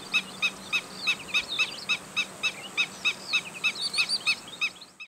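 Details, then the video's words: Black-winged stilt calling when alarmed: a rapid run of sharp, piping kek notes about four per second, with higher thin chirps overlapping near the end and a faint low hum beneath. "call of black winged stilt | call of Himantopus himantopus | शेकाटया | गजपाँव"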